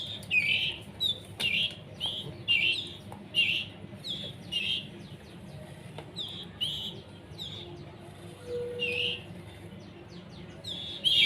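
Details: Young canaries, not yet fully independent, hand-fed by a breeder: short raspy high chirps in uneven bursts about twice a second, a few sharp clicks, and a brief low tone near nine seconds over steady background hum.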